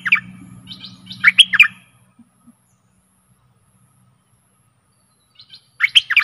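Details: Decoy song from a Stripe-throated bulbul aimed at aggressive wild birds, two quick liquid warbled bursts separated by several seconds of silence, with a low rumbling hum at the start.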